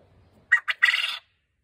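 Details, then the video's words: A male Japanese (coturnix) quail from a backyard flock gives one three-part crow: two short, sharp notes, then a longer buzzy rattle, all over in under a second, with no other sounds. "Coturnix Quail Crowing"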